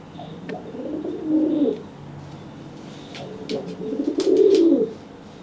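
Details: After a bath, a dry pigeon coos to threaten a wet one that cannot fly; two low, swelling coo phrases separated by a quiet pause, with brief clicks and tapping.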